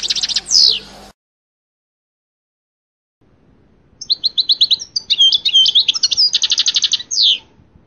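European goldfinch singing a fast, high, tinkling twitter of varied chirps and liquid notes, ending in a buzzy trill, after a brief clipped opening and a pause.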